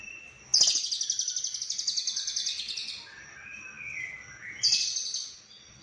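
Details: Konslet lovebird with cililin fill-in: a long, rapidly pulsed buzzing trill of about two and a half seconds, softer warbled whistles, then a second shorter trill.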